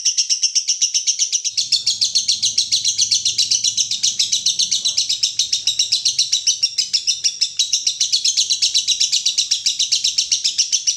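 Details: Extended lovebird konslet singing, an unbroken stream of sharp high chirps at a fast steady beat, with a faint low hum in the background early on.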